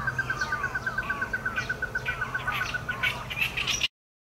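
Ruddy-breasted crake giving a rapid, even series of hard mid-pitched notes, about eight per second, with brief higher chirps breaking in near the end.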